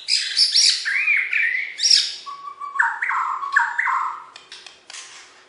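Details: Champion Borneo white-rumped shama from West Kalimantan, Indonesia, sings a rich, fast-changing phrase of warbled and slurred notes, shifting from high chattering to lower, stepped whistles.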